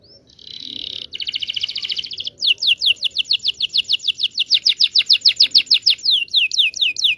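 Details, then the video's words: Local Indonesian canary singing, used to prompt silent canaries and teach young ones to sing: a high buzzy trill opens, then a fast series of bright, downward-slurred whistled notes repeated about four per second. "PANCINGAN KENARI MACET BUNYI.. PANCINGAN KENARI PAUD BELAJAR BUNYI"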